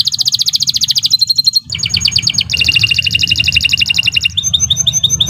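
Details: Canary delivering long, energetic song for tutoring songbirds: a rapid pulsed trill, a brief pause, then two extended rolling trills of differing pitch and a final ringing, bell-like series, over faint low background noise.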